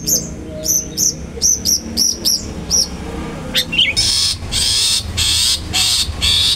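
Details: Long-tailed shrike, used as a lure to provoke other shrikes, gives about eight sharp, high chirped notes in quick pairs, then harsh, rasping chatter bursts, over a low background rumble.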